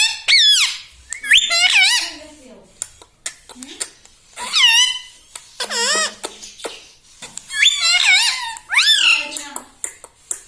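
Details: Pet parrot talking indoors, uttering repeated bent, wavering voice-like syllables in bursts separated by short pauses, with clicks and a low hum between phrases.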